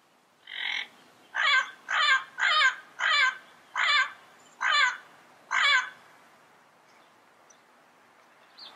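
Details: Wild yellow-headed parrot giving a steady series of eight harsh, nasal squawks about half a second apart, each rough and broad, then quiet.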